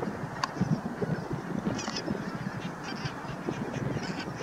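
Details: Bar-headed goose at Naardermeer, the Netherlands, on 9 March 2021: several short, low nasal honks stand out early, set against a dense, continuous murmur of a chattering goose flock, with faint higher bird notes.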